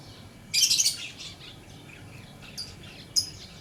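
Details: Shrill lovebird chirp, a dense harsh burst lasting about half a second, followed after a pause by two short, sharp, high chirps, with faint low hum underneath.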